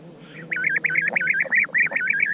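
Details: European bee-eater producing a continuous run of rolling, burred calls, one arched note after another without pause, loud and clear over faint hiss.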